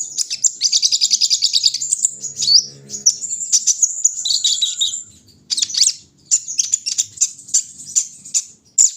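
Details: Van Hasselt's sunbird, locally called kolibri ninja, during a morning dewing session: fast, high-pitched twittering runs, then shrill chirped phrases broken by brief gaps near the middle and end, with faint low hum underneath.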